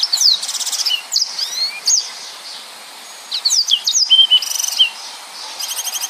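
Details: Yellow-fronted canary delivering dense 'nembak' song: fast high whistled slides mixed with buzzy rattling trills, a brief lull, then more twittering and a closing buzzy trill.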